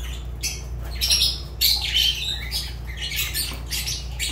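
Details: Shrill, scratchy squawks from a pet Fischer's lovebird, coming in uneven bursts, some sharp and short, others drawn out and rasping, above a persistent low hum.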